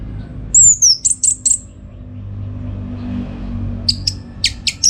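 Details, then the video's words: Orange-headed thrush recorded for training contest birds: a descending high whistle is followed by three short piercing notes, then a quiet gap and a burst of sharp, clipped notes. "Tingkat Tinggi Masteran ANIS MERAH Gacor Untuk Melatih Mental Burung Untuk Gantangan"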